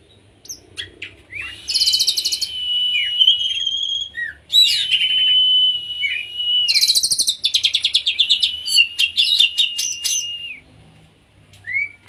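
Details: An Oriental magpie-robin in konslet style, a song played to trigger other magpie-robins to sing, gives long sustained whistles overlaid with rattling buzzes, then a fast stuttering series of clicks and chips, ending in short upslurred notes.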